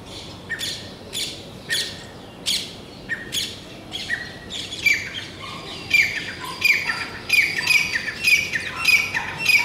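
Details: A male grey francolin (teetar) calling his mate repeats loud, harsh, shrill notes about every half second, the calls growing busier and more ringing toward the end.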